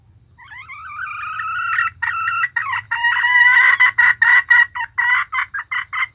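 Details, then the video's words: Female red junglefowl lure call for attracting males and other hens: rising drawn notes swell into a loud, raspy passage, then break into quick, uneven clucking bursts, over a faint low hum. "suara ayam hutan betina"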